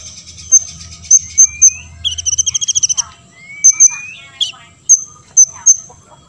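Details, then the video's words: An olive-backed sunbird, its song played so other sunbirds respond and sing, gives spaced, piercing high notes, a fast buzzy trill, and a long, smoothly rising whistle, then more sharp separate notes. "KONIN GACOR BONGKAR MATERI"YG LAIN AUTO BONGKAR"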